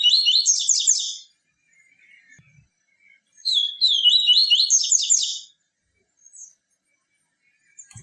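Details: Tui tui viviti style song of a Yellow-bellied seedeater, a pure song intended to stimulate captive birds: two bright, fast twittering phrases about two seconds apart in a quiet background.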